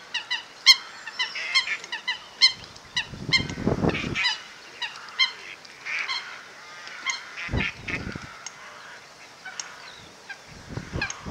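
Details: Fighting coots filmed from the Zeiss Hide at WWT Slimbridge near noon in mid April, misty weather, handheld camcorder; clipped, bright honk-like notes repeated about once a second, overlapping in places, with bursts of low rumbling noise.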